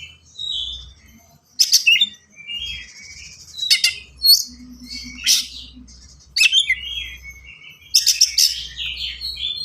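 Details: White-rumped shama delivering fast, unique song used to teach young birds: loud sharp bursts spaced every second or two, interleaved with short whistles and twitters over a soft low hum.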